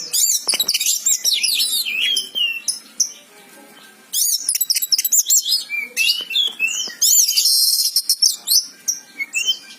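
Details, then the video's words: Oriental magpie-robin singing in a loud, continuous, varied stream of high whistles, sharp chips and rapid trills, with phrases changing constantly and only a brief pause midway; no other sounds stand out. "suara burung kacer gacor"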